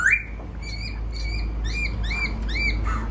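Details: Wild-caught laughingthrush giving a rising whistle, then a run of repeated arched whistled notes, fairly faint against a strong low rumbling background.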